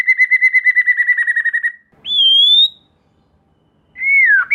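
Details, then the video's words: White-rumped shama song used as a lure to provoke young speckled birds and other shamas into singing: a long rapid trill of clear notes, then a rising whistle and a short swooping whistled note after pauses. "Suara Pancingan Murai Batu Agar Murai Batu Trotol Merespon Cepat Bunyi || Voice of Murai Batu"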